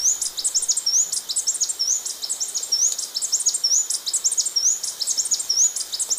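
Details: Blue-backed conebill song: rapid, high, thin chips and short upslurred whistles repeated about once a second in a steady sequence, with faint background hiss.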